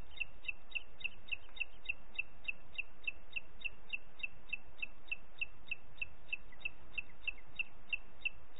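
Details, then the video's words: Booted eagle in Parc Natural dels Ports, recorded 30 June 2021 at 11:01: a long, steady run of short, high, clipped notes, about three per second, over a low background rumble. "Àguila Calçada"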